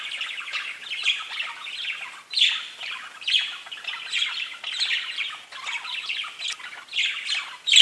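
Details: Pet budgerigars in continuous chattering warble, dense rapid chirps and squawky notes run together in bursts roughly every second, several birds overlapping.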